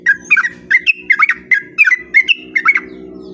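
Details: Sooty-headed bulbul, singing the long 'ropel' style used as a lure to draw replies from other bulbuls: evenly spaced bursts of bright bubbly chirps, several a second, continuing for over three seconds above a low steady hum.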